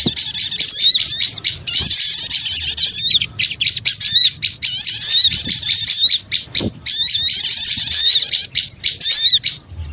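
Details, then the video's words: Small birds chattering noisily in a lure recording, many voices overlapping in shrill, rapid chirps and upslurred squeaks, with short gaps of quieter sound scattered through the ten seconds. "Suara Pikat Burung Kecil Ribut Ampuh"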